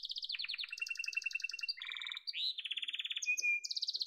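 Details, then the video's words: Domestic canary, yellow, delivering a continuous song of rapid rolling trills, buzzy notes and a brief pure whistle, changing tour every half second or so. "Muhteşem Kanarya Sesi: Sarı Kanarya'nın Efsanevi Ötüşü"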